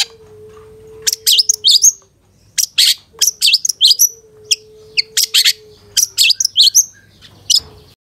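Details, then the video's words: Long-tailed shrike song, a master recording meant for training caged birds: clusters of high sharp chirps and short whistled notes in uneven bursts, with a faint steady low tone beneath. "Masteran Suara Cendet Satu Titik Nagen❗Pancingan Cendet FULL Isian MEWAH"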